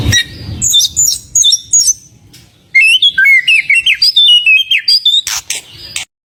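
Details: White-rumped shama singing frequently with full fill songs, played to provoke other birds: high thin whistles, a pause, then a long fast series of short bright whistled notes stepping up and down, ending in clicks.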